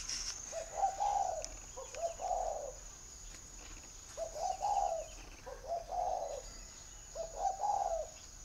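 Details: Caged spotted dove from northern Vietnam, Ba Vì area of Hanoi, repeats paired low mellow coo phrases, a brief note then a drawn-out throaty coo, in a loose rhythm roughly every two to three seconds, with a thin constant electronic whine behind.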